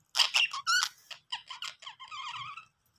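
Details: A happy budgie at play gives a quick run of squeaky chirps and clicks that settles into a lower buzzy warbling trill lasting about a second.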